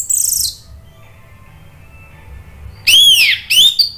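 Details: Lure song of an orange-headed thrush, Indonesia, in 'ngeplong' style: a brief harsh high burst, nearly three seconds of quiet, then two strong arched whistled notes close together.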